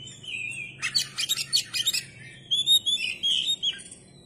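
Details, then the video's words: Oriental magpie-robin (kacer) singing vigorously with its tail spread. Clear whistled notes open the phrase, then a fast burst of scratchy, chattering notes, and it ends with a run of bright, varied whistles. "kacer gacor dor ,kacer gacor buka ekor"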